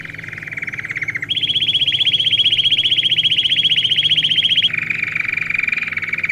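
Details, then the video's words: Domestic canary song for training young birds: long rolling trills held at one pitch, then jumping higher, then dropping again, over a faint low hum. "Canário Do Rei Canto Lindo"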